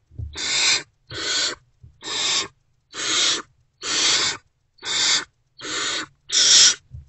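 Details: Great horned owl owlets, still not fed, calling from an owl box before dawn on 3 March 2024 as an adult returns: eight rasping, noisy hisses in quick succession, each about half a second long.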